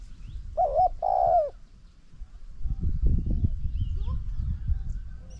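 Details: Decoy spotted dove facing a wild bird: one deep two-part coo at the start, short then longer and trembling, followed by rumbling low noise and faint distant whistles.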